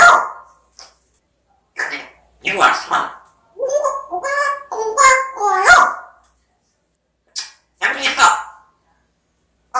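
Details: Pet African grey parrot vocalizing in a series of short, loud bursts: harsh bark-like syllables alternating with clear tonal, whistle-like notes that bend up and down, separated by silent pauses.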